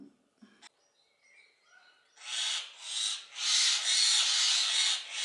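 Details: Talkative common hill myna in a bird garden zoo at Upie, Drôme, France. A few faint chirps and whistles lead into a run of loud, harsh, rasping bursts, roughly two per second, that grow steadily stronger.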